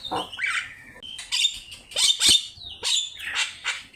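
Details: Javan myna in full song, a master recording for teaching birds: harsh squawky phrases mixed with whistles and sharp downward clicks, loud and varied.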